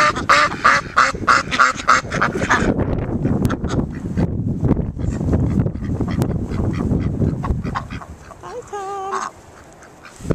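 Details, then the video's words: Ducks at Whitby Abbey begging noisily for food from visitors: a dense run of harsh, rasping quacks fading toward the end, where a brief wavering tone is also heard. "noisy ducks at Whitby Abbey"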